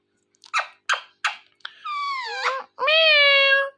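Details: Indoor pet ringneck parrot: three sharp clicks, then long, nasal, voiced calls that bend downward before flattening, like mimicked words or a meow.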